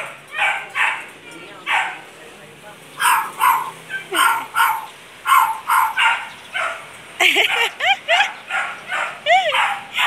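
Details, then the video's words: A pet bird, possibly named Orly, imitates a dog's bark during the dog's vet visit: a rapid series of short, harsh, bark-like yaps, about two a second, ending in a few squeaky up-and-down whistles, while a person speaks. "Bird copy the dog's bark"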